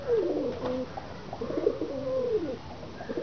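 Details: Pigeon coos, low and rolling, each phrase sliding and bending in pitch, two main phrases heard in quick succession over soft background noise.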